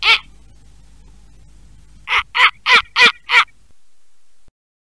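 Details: Snowy Owl, found in Idaho and the largest owl in North America, gives harsh, raspy barks: one single note, a pause, then five quick cackling notes about a third of a second apart.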